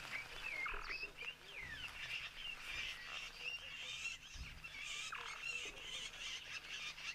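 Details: Egyptian geese on 1 February 2023, busy on a cloudy Wednesday with springbok feeding nearby, honking in harsh, nasal, wavering bursts that overlap over several seconds, above a steady low background hum.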